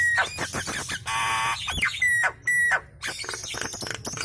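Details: Vigorously chattering Nias hill myna, with other birds joining in: rasping screeches mixed with clear level whistles held about half a second, then rough, crackling squawks.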